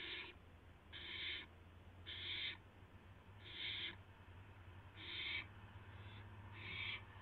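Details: Owl at the nest just after midnight on April 12, 2016, a mouse being brought in: evenly spaced, breathy hissing screeches, about six in seven seconds, each roughly half a second long, over a constant low electrical hum.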